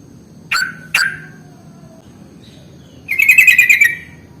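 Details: Sooty-headed bulbul lure sound used to attract bulbuls: two sharp, abrupt chirps, then after a pause a bright, rapid, bubbly trill lasting almost a second, with a faint low hum behind.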